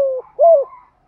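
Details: Spotted dove acting as a decoy and calling at morning to encourage fresh-caught birds to coo: a sustained low note trails off, followed by one arched, smooth coo and a soft fading tail.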